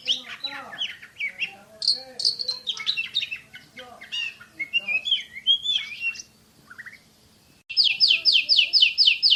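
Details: Champion Oriental magpie-robin in fast shooting-style song: varied high chirps and slurred whistles, a brief lull, then a burst of identical sharp, downward-sweeping notes repeated rapidly about five times a second.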